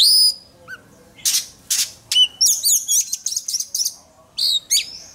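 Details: Oriental magpie-robin trained for singing contests, giving harsh broadband rasps followed by a fast string of twisting whistled notes and bright sweeps.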